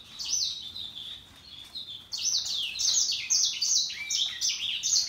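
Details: Happily singing Russian yellow and Timbrado canaries: a fast series of high, sharply descending whistled sweeps repeated in bursts, with some warbled notes in between.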